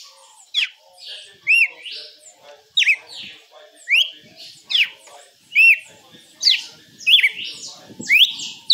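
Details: Red-cowled cardinal singing the açoite song style: high, clear whistled notes, steeply sliding and arched, delivered in quick phrases about once a second.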